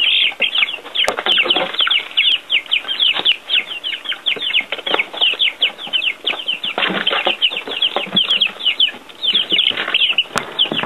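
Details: Several baby chicks with earthworms on their first time outdoors, giving a constant flock of shrill, downward-sweeping peeps, many birds at once, with scattered clicks and rustles underneath.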